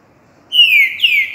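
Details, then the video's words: Green-winged saltator giving its three-note boiadeiro-style song, recorded 28 January 2020: two loud, clear whistled notes, each sliding downward and held, the second following closely on the first after a moment of silence. "Trinca 3 notas boi"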